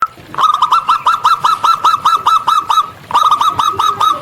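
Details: Local zebra dove, a bird of the wild, cooing loudly and clearly. Two runs of rapid, evenly spaced staccato notes are separated by a brief pause, each note with a small upward flick.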